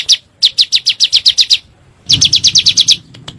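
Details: Bar-winged prinia (ciblek gunung) on a lure recording meant to provoke birds: two short bursts of bright, high, downslurred notes, about nine notes each, separated by a brief pause.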